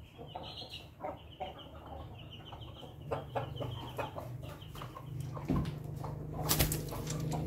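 An Ayam Ketawa rooster gives a choppy series of short, staccato crowing notes, with clucks and wing sounds over a steady low hum.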